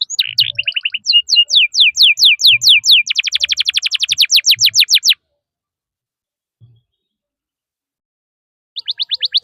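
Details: Canary song for teaching young canaries: chirps and slurred descending notes building into a dense rapid trill, a silence of several seconds, then another quick run of sharp notes.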